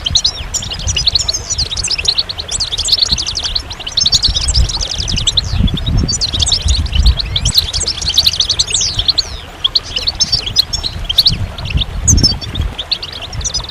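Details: Goldfinch song in long, fast twittering runs of liquid chirps, trills and slurred notes, repeated in bursts with short gaps, over a low rumbling background.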